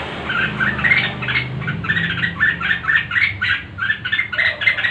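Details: Red-whiskered bulbul, worked up for a singing contest, pours out fast, lively whistled phrases, each a quick cluster of rising and falling notes, repeated several times a second, over light background hum.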